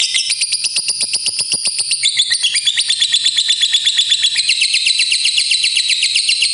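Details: Long ngekek trill from a fighter lovebird, used to get other lovebirds singing. A continuous, fast, buzzy chatter of evenly repeated notes runs unbroken through the whole stretch with steady loudness.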